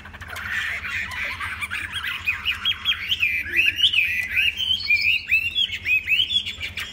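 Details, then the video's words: A tame Chinese hwamei sings a building warble. Slurred, slightly harsh notes climb gradually in pitch and grow louder, becoming quick, bouncing whistled phrases toward the end over a low steady hum. "Họa Mi thuần đẹp hót hay"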